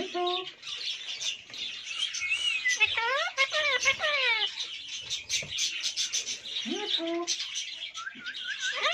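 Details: Parrots chattering over a constant bed of high twittering, with a run of stacked, swooping, speech-like notes in the middle and short squeaks near the end.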